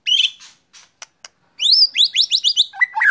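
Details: White-rumped shama set out in the sun, giving a few clicks and ticks, then a rapid run of rising whistled notes ending in lower harsh scratchy notes.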